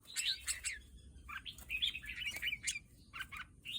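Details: Red-whiskered bulbul song: bright chirping and warbled notes in quick bursts, some sliding, with low steady background hum throughout.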